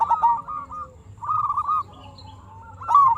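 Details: Local zebra dove song used as a lure to draw replies from other zebra doves: two quick runs of bubbling, clipped coos, a pause, then a third phrase beginning, with a faint low rumble underneath.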